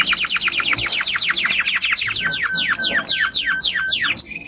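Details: Timbrado canary, a strong singing male, delivering a rapid series of descending whistled sweeps, then a sustained level trilled note and more falling slurs, ending on a brief high note.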